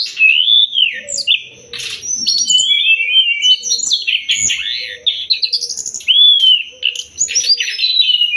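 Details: Sumatran leafbird song played to train songbirds: a continuous run of loud whistled phrases, rising and falling slurs, and brief buzzy stuttering notes, with varied elements following each other with hardly a pause.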